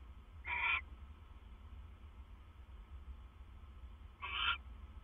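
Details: At night, a male owl brings his mate another treat at 2:32 AM, late September 2015. Two brief, rasping screeches sound about four seconds apart over a steady low background hum.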